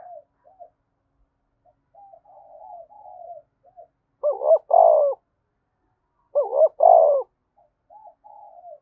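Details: Spotted dove cooing in the thúc bổi style, a vigorous lure call. Soft, low warbled coos come first, then two loud, throaty double-coo phrases about two seconds apart, with quieter coos between them.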